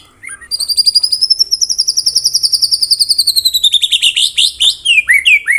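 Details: White-rumped shama song with close-fire mimicry phrases, used as training material for songbird contests: a long rapid trill of high pulsed notes slowly sliding upward, then descending, breaking into varied sharp whistled slurs at the end.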